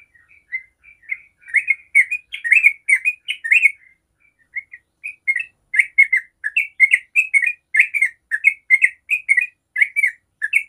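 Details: Yellow-vented bulbul in 'ropel' song style, meant to make other bulbuls reply: a few soft opening notes, then loud bubbling chatter, a brief lull, and another long run of rapid liquid phrases.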